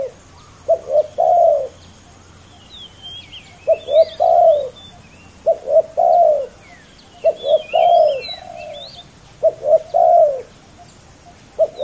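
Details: Two male spotted doves competing in a ground decoy match: mellow, low coo phrases of two short notes and a longer one repeat about every three seconds, with scattered high chirps from small birds.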